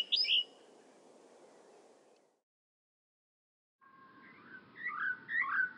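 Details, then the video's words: Grassland yellow-finch (Sicalis luteola) song, which repeats a short rhythmic pattern that slows and modifies: a brief high chirp, a pause, then a run of quick, jumbled twittering notes over a low background rumble. "El canto del Chirihue"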